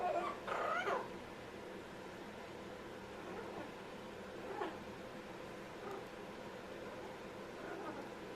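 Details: Pet Amazon parrot making funny sounds: a loud, harsh, wavering squawk near the start, then a few softer, nasal, mewing calls every second or two over quiet room hiss.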